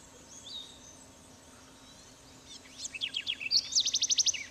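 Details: House wren in Trinidad, 2005, giving a fast, bubbling run of high chattery notes that speeds into a rapid trill over the last two seconds, with faint background hiss.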